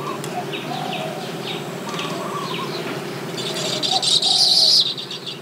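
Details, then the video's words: Nesting Baya weaver in tropical surroundings: a run of soft downslurred chirps, then a sudden loud wheezy buzz near the end. "The Baya Weaver’s Amazing Nests | Tropical Birdlife Sounds"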